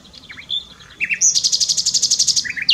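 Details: A common nightingale singing in Dohr, Eifel, Germany: a few clear, varied whistles, then a fast, loud, rattling run of about fifteen high notes, ending on a sharp upslurred note.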